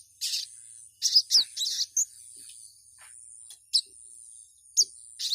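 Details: Female ruby-cheeked sunbird calling to a male: short, high, sharp chirps, sometimes in quick clusters and sometimes single, spaced by gaps of about a second, over a faint steady high hiss.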